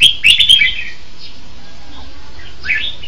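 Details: Red-whiskered bulbul singing: a quick burst of bright, slurred warbling notes with sharp clicks at the start, a quiet pause, then one short rising whistled phrase near the end.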